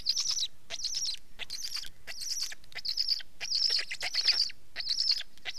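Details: Black stork voice: rough, wheezing bursts with a thin whistled tone, grouped in short clusters about once a second, separated by brief gaps.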